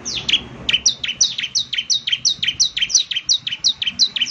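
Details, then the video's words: Bar-winged prinia delivering an even, regular series of sharp, high downslurred notes, nearly three per second, each note clean and bright. "ciblek semi gacor"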